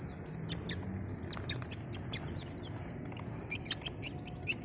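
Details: Colorful desi chicken chicks peeping in short, very high, sharp notes, several overlapping in quick bursts about every quarter second, over a faint low hum.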